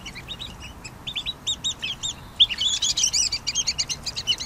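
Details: Pygmy nuthatch giving high, thin chirping notes, at first in short separate pairs, then a denser run of quick squeaky chips toward the end, with a steady faint background hiss.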